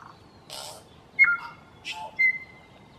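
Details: Tui, a New Zealand native bird, singing: clean sustained whistles, some sliding down, mixed with sharp clicks and short harsh, wheezy bursts, over a quiet background.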